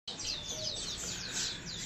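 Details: A captive Oriental magpie-robin in Indonesia, recorded 10 March 2021, sings a fast, continuous run of high, sweeping whistled notes, roughly five a second, over a faint low background hum.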